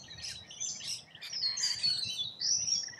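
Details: Rainbow lorikeets feeding in Australia, heard as a dense tangle of high, piercing screeches and thin sliding squeals from several birds, continuous for three seconds over faint low rumble.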